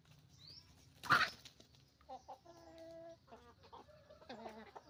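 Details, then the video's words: Roosters and hens making noise together on a chicken farm: a sharp squawk early on, then a drawn-out, nasal, tonal call lasting about half a second, and scattered short clucks from several birds over low background hum. "Moment of the sound of a chicken farm, roosters and hens making noise"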